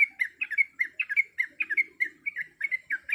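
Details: Female sooty-headed bulbul calling to the male, a caged bird: rapid, lively chirped notes in quick pairs and triplets, bubbling along steadily without pause.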